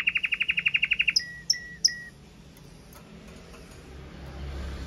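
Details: Powerful song from a Red Mosaic Agate Canary: a quick, steady series of about a dozen high ticking notes, followed by three separate slurred, whistled notes, then quiet background.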